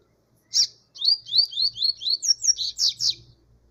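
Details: Double-collared seedeater giving a lively song, one sharp note followed by a rapid chain of about ten bright slurred whistles that climb in pitch toward a fuller, buzzier finish.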